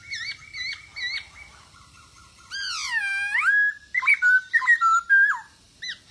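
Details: Masked laughingthrush singing actively, used to encourage quiet birds to sing: clear whistled phrases, then a long swooping slur dropping and rising, followed by bright, fluting whistles with quick pitch breaks.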